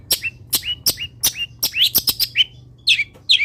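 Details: Long-tailed shrike singing energetically, the song rich in copied wild-bird phrases, meant as a training recording: quick sharp chips, each followed by a short downslurred whistle, then two louder buzzy notes near the end.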